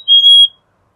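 A Black-capped Chickadee gives a single clear, pure whistled note, steady in pitch and lasting about a third of a second, against silence.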